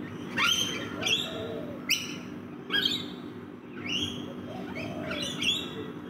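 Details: Rainbow lorikeets feeding in a backyard: harsh, grating screeches with sharp downward-sweeping edges come in bursts about every second, several birds overlapping, over a steady low background hum.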